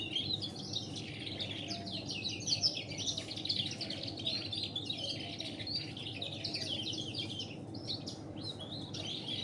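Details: Canary singing, tutored on local canary song alongside a red siskin: a continuous rapid warbling of twittering, trilled and chattering notes, with steady low hum beneath.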